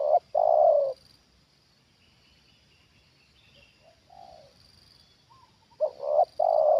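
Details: Spotted dove trained as a lure, calling at a wild bird descending for the second time. The long end of a low cooing phrase opens the recording. After a quiet gap, a soft note leads into another double coo and a long croo.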